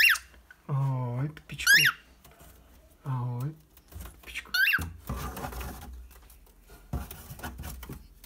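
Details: A male pet cockatiel gives sharp, rising chirps between low, human-sounding words, inviting its owner to his house to play chase.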